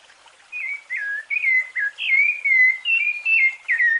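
Rufous-bellied thrush singing a fluted song: a steady run of clear, mellow whistled notes, each slurring up or down, about two or three per second.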